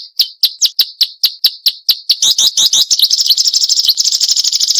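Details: Marsh warbler in sharp 'nembak tajam' song, recorded as training material for songbirds: a steady run of clear, separate, high chips that speeds up into a fast rattling chatter.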